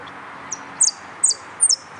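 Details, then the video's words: Yellow canary at a singing competition gives three crisp, high, downward-slurred chirps spaced roughly every half second against faint steady hiss. "Participo en Amarillo Completo Concurso"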